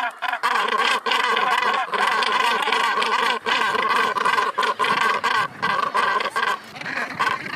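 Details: On Helgoland's cliffs a nesting northern gannet colony keeps up dense, hoarse, grating calls in nearly continuous overlapping volleys with only short breaks.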